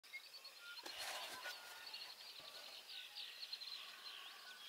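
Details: At Burrows Pond, Sac County, Iowa, a Great-tailed grackle gives a quick run of harsh, dry clacks over a steady wash of high, thin chirps from many birds.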